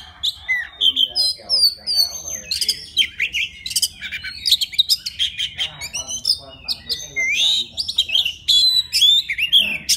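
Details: Singing to call a mate, a forest White-rumped shama delivers a long, varied stream of piercing whistles, twangy slurs and clipped chips, phrases tumbling almost without pause.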